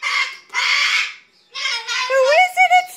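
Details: Baby male umbrella cockatoo kept as a pet indoors, waiting at a window and ecstatic as his owner comes home from work. Three harsh, noisy screeches in quick bursts, followed by a rising, tonal harmonic call ending in short wavering notes.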